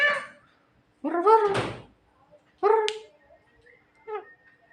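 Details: Javan myna, said to be smart and funny, making drawn-out harsh squawks with strong overtones, three main bursts about a second and a half apart, plus a thump and faint music.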